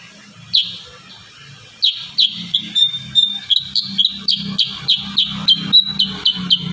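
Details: Kurincang in full 'tembakan rapat' song, a dense, vigorous style: a quick run of crisp, high, downslurred notes, about four per second, with one drawn-out level whistle, over a low droning hum.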